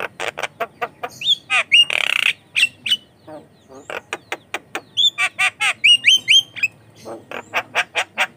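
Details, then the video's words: Javan myna in full, energetic song, used as a lure and training sound for young mynas; sharp clicks and harsh bursts mixed with rising whistled notes and a raspy squawk, delivered in quick irregular succession. "COCOK UNTUK PANCINGAN JALAK KEBO BAHAN || jalak kebo gacor calon pemasteran"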